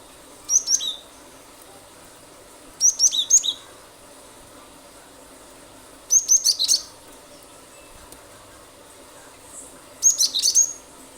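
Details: Cinereous tit, known locally as gelatik batu, singing persistently as a lure for other birds. Four bursts of high, piercing whistled notes about every two to three seconds, each burst ending on a lower note.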